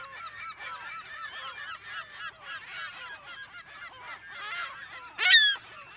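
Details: California gull colony in mono, close to medium perspective: crowded, choppy mewing and squealing calls layered together, broken near the end by one sharp, loud, descending scream from a nearby bird.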